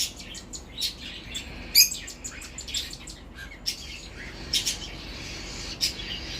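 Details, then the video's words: Cockatiel chicks being mouth-fed by their parents: rapid, scratchy high chirps and clicks in uneven bursts, with one louder squeak near two seconds and more clustered chatter toward the end. "Cockateils Feeding Chicks"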